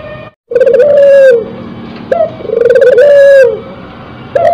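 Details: Spotted dove in breeding condition cooing loudly: two phrases, each a short clipped note followed by a long, wavering, low coo that sags at the end, repeated about every two seconds.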